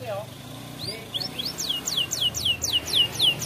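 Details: Canary singing in champion style for training young canaries: after soft low notes, a regular series of bright falling sweeps about four a second, over a faint low background hum.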